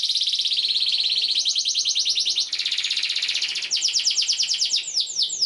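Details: Canary in full long song, used to teach young canaries: continuous rapid trills switching between several chirp types, ending with slower downward-sweeping whistled notes.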